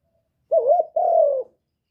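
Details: One low two-part coo from a spotted dove, played to stimulate birds. A short warbling note is followed by a longer, drawn-out note that slowly falls. Background otherwise silent.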